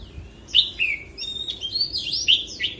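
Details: Oriental magpie-robin in 'forest voice' song, quieter and a little distant, with sliding whistles and warbled phrases that swoop up and down over a faint low background hum.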